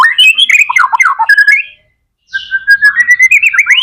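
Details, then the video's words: White-rumped shama singing gacor style as a lure to set off other shamas: quick bright whistled and warbled phrases, a silence of about half a second, then a sustained whistle rising into fast rippling notes. "MURAI BATU GACOR AMPUH BUAT PANCINGAN MURAI BATU AGAR CEPAT BUNYI JADIKAN BURUNG MURAI GACOR"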